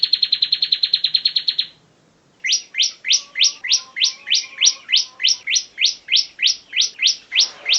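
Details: Bar-winged prinia used as a master singer for training: a quick high trill of clipped chirps, then a pause, then a slower series of about fifteen bright, upward-slurred notes, nearly three each second.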